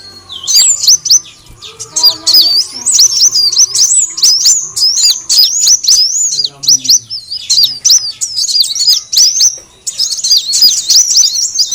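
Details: Sunbird, locally called kolibri wulung or kolibri daun, in a recording used as a lure to attract birds: dense, rapid, high-pitched twittering of sharp chirps and squeaky trills, almost continuous with brief pauses, over faint lower-pitched chatter.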